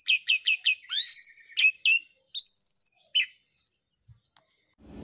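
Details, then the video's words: Asian pied starling in full, loud song used as training audio for caged birds: four quick chirps, then long rising whistles and sweeping tones, with a brief low thump at the end. "JALAK SUREN GACOR"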